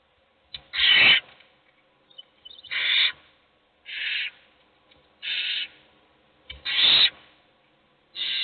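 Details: Owl nestlings in a box begging for food: a run of short breathy rasps, about half a second each, coming at irregular intervals with faint scratching between.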